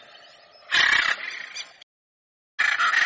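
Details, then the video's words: Harsh, grating calls of a hyacinth macaw: one loud rasping squawk that trails off into a weaker rough tail, silence, then another strident burst at the end. "Arara Azul Cantando"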